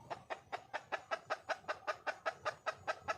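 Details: Wild junglefowl hen calling for a male, a short, even string of clear clucks, around two and a half per second, each sharp and slightly falling.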